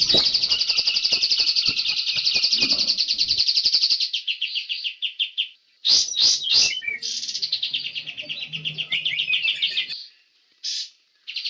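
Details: Young forest-caught White-rumped shama, master song used to teach young birds imitations: a long, rapid, buzzy high trill of about four seconds, sharp sweeping notes, then further fast trills and short bursts.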